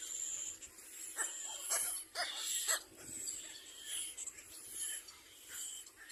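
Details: Little black cormorant giving harsh, raspy, wheezing squeals in irregular bursts about once a second, over a steady high hiss, during an episode of an adult attacking its own young.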